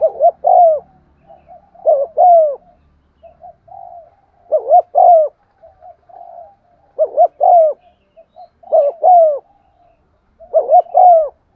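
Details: Spotted dove lure bird cooing to stimulate other doves, in the 'giọng son' voice style: six low phrases, each a quick double coo followed by a longer drawn-out falling coo, with soft murmured notes between them.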